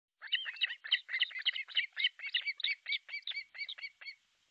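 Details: Osprey at an artificial nest in Pohjois Satakunta, Finland, July 6, 2023, 12:31, recorded by nest camera: rapid run of about fifteen sharp whistled, down-hooked chirps, tightly spaced over four seconds, no other sounds.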